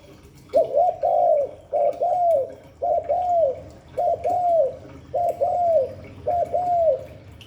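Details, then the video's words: Spotted dove cooing in the Hạp Bổi voice style: six phrases, each a short lead note and a drawn-out arched coo, repeating about once a second over low background hum. "Tiếng chim cu gáy Giọng Hạp Bổi 38. Đủ bài THúc GÁY GỌI - GÙ HAY Kích Bổi Nhanh Nổi, Cu đất gáy"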